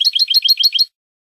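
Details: European goldfinch, Spanish goldfinch song from a training recording for cage birds: one burst of quick, bright twittered notes, about seven paired chirps in under a second, then silence.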